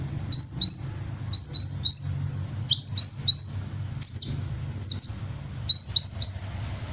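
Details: Hummingbird in full song, imitating other birds' calls: paired high whistled notes sliding downward, delivered in clusters of two or three roughly every second, over faint low background hum.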